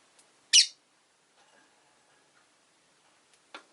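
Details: Rosy-faced lovebird letting out a loud, raspy squawk followed by near silence and a second rougher squawk about three seconds later, with faint household sounds.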